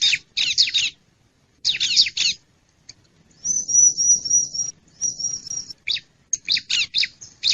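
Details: Wild bar-winged prinia lure call: clusters of sharp, buzzy high chirps in quick bursts, broken by two long, thin, steady high whistles, with short pauses between groups.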